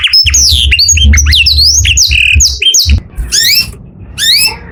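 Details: Canary song in the morning: quick slurred whistled notes and chirps, followed by a few thinner rising and falling calls after a short break, with a low hum underneath.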